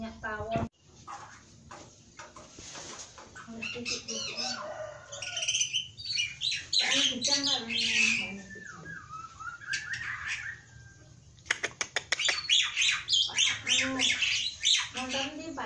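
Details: Javan pied starling singing energetically with varied filling phrases: rapid mixed whistles, harsh chattering notes and buzzy bursts, some tonal slurred whistles around the middle, dense repeated clicks and rattles toward the end.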